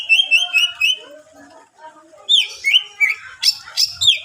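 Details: A greater green leafbird's varied song, meant to entice rival leafbirds to sing: an even run of four repeated whistled notes, quieter warbling, then loud sharp up-and-down whistles and harsh chips.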